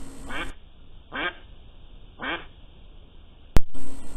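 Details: A domestic duck about five to six months old gives three harsh, nasal quacks about a second apart at its pond, raising alarm at a stalking fox. A sharp click and brief background noise follow.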